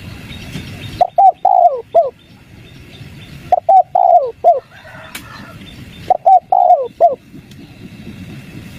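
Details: Wild-dove lure of a spotted dove in the 'kuk 3' style: three evenly spaced cooing phrases, each short notes building to a long, gently falling coo and a final clipped note, about two and a half seconds apart.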